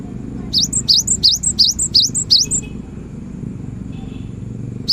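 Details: Lively cinereous tit song, meant to coax silent tits to start singing: six rapid, high, rising whistled phrases in a steady rhythm, each tipped with a brief second note, over a constant low rumble of traffic.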